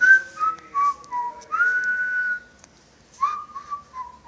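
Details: Indoor whistling parrot gives a descending series of clear whistled notes, followed by a long held tone, a pause and another falling phrase.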